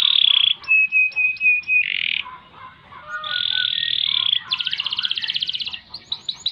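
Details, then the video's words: Canary in full song with ngerek, ngerol and nembak phrases: bursts of sharp notes, a clear whistled note, a steady buzzy roll, then a rapid pulsed trill and a few quick chips. "Kenari Gacor Panjang Ngerek Ngerol Nembak"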